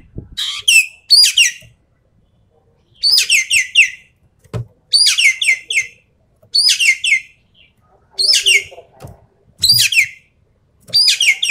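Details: Javan pied starling in full tembakan song, delivering short clusters of two to four sharp, harsh, descending chattering notes roughly every one to two seconds, loud and clear against a quiet background.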